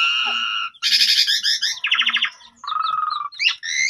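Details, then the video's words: Asian pied starling (jalak suren pundung) lure song recorded by phone to set birds singing: a steady harmonic tone, then a dense harsh chatter, a buzzy trill, a lower nasal rattle and closing rising whistles. "Pancingan Jalak Suren Pundung Pasti Langsung Gacor"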